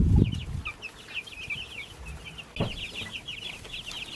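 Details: Baby chicks in a backyard flock cheeping continuously, a dense overlapping chorus of short high chirps, with a loud low thump at the start and another knock around midway.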